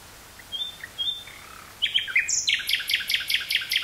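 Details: Common nightingale singing in woods near Burgh-Haamstede, Netherlands, on 18 May 1983, taped on a portable cassette recorder with a stereo microphone: two thin high whistles, then a burst of rapid, rattling, repeated high notes.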